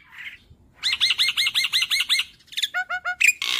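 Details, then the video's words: Young black-winged starling, a caged bird endemic to Indonesia, singing: a burbled note, then a fast series of about ten repeated ringing double-toned notes, followed by quick descending chirps and a harsh squawky ending. "Jalak Putih Gacor Full Nembak"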